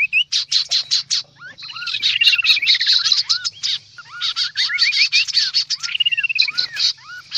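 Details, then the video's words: Noisy kaso-kaso bird lure call: loud bursts of rapid, high, scratchy chatter mixed with rising whistled notes and longer falling whistled runs, several voices overlapping almost without pause. "Suara pikat burung kaso kaso ribut"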